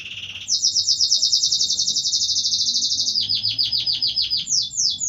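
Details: Canary singing a loud, high trill: a short lower note, then a long rapid buzzy rattle held about three seconds, followed by a series of quick descending whistled notes.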